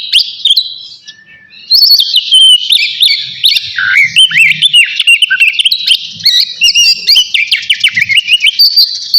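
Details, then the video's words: A navy oriental magpie-robin sings loudly before bathing; after a soft start and a short lull, rapid whistled slurs, trills and chips pour out steadily to the end. "KACER NAVY GACOR SIAP MANDI"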